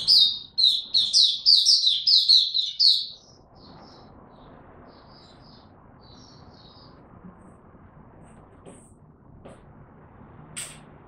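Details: Oriental white-eye, buka tiong aw song in ramped-up form, 3 January 2022. Three seconds of quick bright twittering notes, then only a few soft scattered chirps over a steady low background hum.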